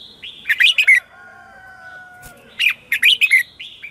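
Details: Red-whiskered bulbul morning song calling wild birds: a rapid warbled phrase, a long level whistle in between, then a second similar quick phrase.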